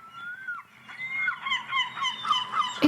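A gull opens with a drawn-out, slightly falling whine, then breaks into a quick run of harsh, squeaky, yelping notes, several per second.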